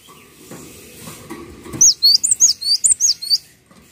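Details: Cinereous tit (gelatik watu) tutor song: a string of roughly eleven thin, high, up-swept whistles in fast succession, with soft low murmuring noise before the phrase.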